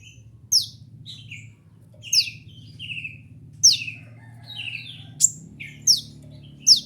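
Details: Kolibri ninja sunbird recorded as masteran, or tutor, material. Spaced high downslurred notes each trail into a buzzy lower phrase, roughly every second and a half, over a steady low background hum.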